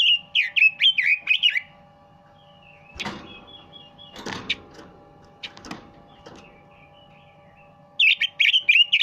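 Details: Red-billed leiothrix singing in two bursts of rapid, rich warbling whistles, one opening and one closing the recording, separated by quieter thin whistles, loud knocking thuds and a constant low electrical hum.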